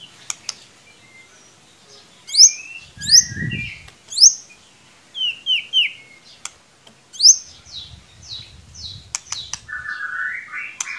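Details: Lure song of a white-rumped shama meant to rouse a quiet bird: sharp rising whistles and clipped chirps in short bursts, separated by pauses, ending in a drawn-out rising warble; faint low thumps in places.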